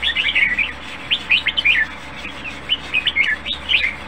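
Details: Red-whiskered bulbul kept in a cage sings lively, bouncy whistled phrases in three groups, each a quick string of rising and falling chirps, against a low constant hum.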